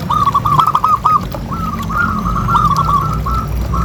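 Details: Repeated soft rolling coos of a zebra dove, played to get other doves calling, delivered in fast stuttering runs against a steady low hum.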